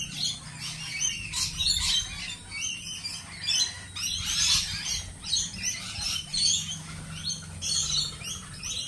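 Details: Lorikeets squawking and screeching in rapid, overlapping, shrill bursts with almost no gaps, a busy flock sound.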